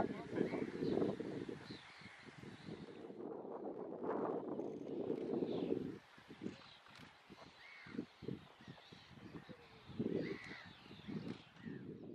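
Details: Rosy starlings at Krčmaň, Czech Republic, on 24 May 2018 give harsh, grating chatter in dense bursts, with a few thin whistles mixed into the noisy flock sound.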